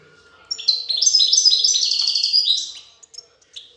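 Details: European goldfinch, a female feeding her chicks; a loud continuous run of bright, high twittering notes lasting about two seconds, then a few softer separate chirps.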